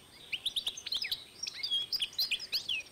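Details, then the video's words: Goldfinch-canary cross recorded in 2012, delivering a quick string of high chirped and slurred whistled notes, tumbling and twittering without pause. "European goldfinch X Canary"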